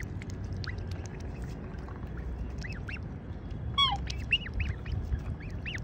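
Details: A black swan pair and their cygnet, living near Surfers Paradise beach on the Gold Coast, Queensland, Australia, guzzle sweet corn with a low wet dabbling rumble, broken by scattered high thin peeps and one short falling call.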